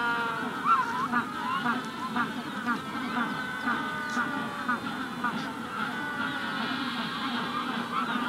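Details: A Magellanic penguin colony at the hatching stage is heard more softly, as a continuous murmur of overlapping nasal honks and bleating calls. A rufous-collared sparrow is in the background.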